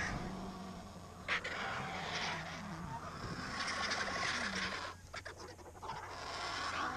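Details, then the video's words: At a recently found mare carcass in Segovia, Spain, feeding cinereous vultures let out coarse, hissing rasps in uneven bursts, with low wavering tonal sounds underneath and a few short sharp clicks. "Buitre Negro comiendo en Segovia"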